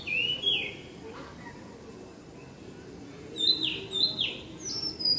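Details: Evening song of an Oriental magpie-robin: a bright whistled slur, a pause, then three drooping whistled notes and a high sweeping whistle, over a soft steady background hum.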